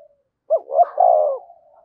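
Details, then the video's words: Spotted dove decoy bird calling. One phrase: two quick upslurred coos running into a long, husky, slowly falling coo. "chim cu gáy thúc và gáy gọi cực đỉnh, chim cu gay kich boi nhanh noi"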